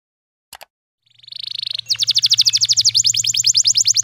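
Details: Canary singing a pancingan tutor song with cengkok phrasing for young birds: two brief clicks, then silence, then a buzzy high trill that breaks into a fast, even series of sharp piping notes.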